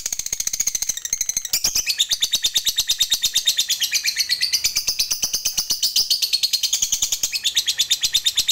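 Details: Continuous "ngekek panjang" chattering from a lovebird, meant as a lure for other lovebirds: shrill, rapid, grating notes pouring out in a long steady stream, growing louder after the first second.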